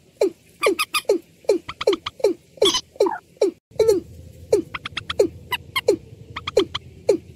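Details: Watercock (ayam-ayaman), slow 'peruk' calls: a steady run of low, falling notes repeated roughly twice a second, with sharp high clicks between them and a low hum in the second half.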